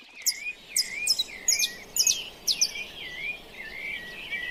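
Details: Wild birds singing at dawn, recorded live in nature: a series of high, sharp chirps about twice a second over a lower, wavering whistled warble, with other birds faintly in the background.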